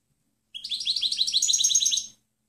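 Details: European goldfinch, clean song for teaching other birds: one phrase of about a second and a half with fast repeated liquid notes over a thin, sustained high whistle.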